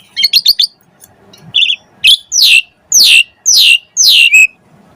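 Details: Asian pied starling in lively song, used to spur other starlings to sing: a quick stuttered trill, then four loud harsh downslurred squawks about half a second apart, ending on a short whistle.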